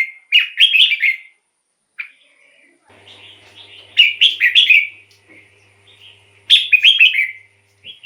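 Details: Red-whiskered bulbul, decoy song to attract wild birds or stir caged birds; three loud bubbly whistled phrases of several quick notes, with soft warbling and faint low murmurs between them.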